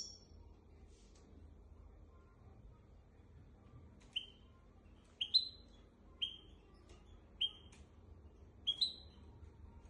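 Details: Hybrid of goldfinch and canary, a tutor singer for young goldfinches and canaries, giving quiet, widely spaced bright upward-flicking chirps at irregular intervals over faint low background hum.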